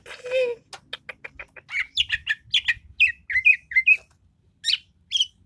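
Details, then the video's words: Greater green leafbird: a lively jumble of short chattering and whistled notes, quickly repeated and varied in pitch, ending in a few isolated sharp calls, with faint low background rumble. "burung cucak ijo"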